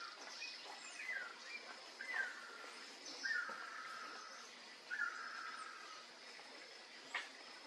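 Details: Great kiskadee perched in a tree in Brazil, giving harsh, slightly descending calls, four or five about every one to two seconds, over a steady background hiss.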